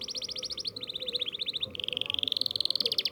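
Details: Young canary learning to roll, singing quick repeated trill phrases that shift pitch, first a fast pulsed series, then a lower run, then a rising, steady rolling trill.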